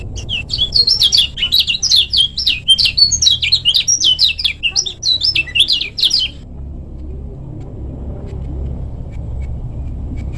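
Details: Lemon-bellied white-eye of the Lombok type, a recording meant to train other birds, gives a fast, dense burst of high, sharp chirping and twittering notes for about six seconds, then falls silent over a low background hum.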